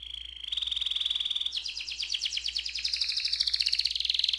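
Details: Canary in ngerol style, meant to prompt other canaries to sing: a steady high whistled tone held about a second, then a rapid, continuous rattling roll that runs to the end.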